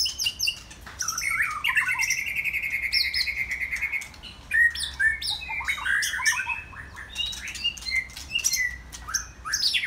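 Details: White-rumped shama singing on a Saturday afternoon: a long sustained whistled note held for about two seconds, then a rapid jumble of varied high whistles, slurs and sharp clicks, with brief pauses between bursts.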